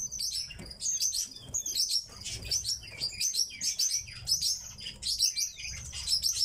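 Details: Kept tits uttering rapid, high-pitched chirps in rhythmic bursts about twice a second, several birds chattering together.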